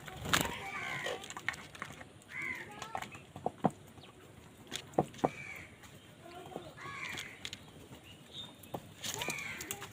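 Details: Crows fighting over food give harsh, arched caws in irregular bursts, several overlapping with short gaps, amid sharp clicks and knocks and a steady outdoor background hiss.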